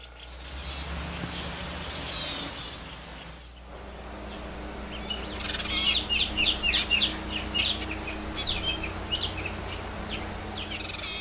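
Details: Wild yuhina foraging in the open to find food for its young: a burst of quick, high, thin chirps runs through the middle, rapidly repeated, over a steady background hiss.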